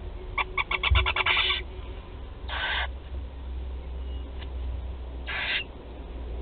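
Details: Four barn owl chicks being fed at their nest in Théding, France, on 16 July 2020: a fast train of ticking pulses runs into a harsh, breathy hiss, followed by two more rasping hiss bursts.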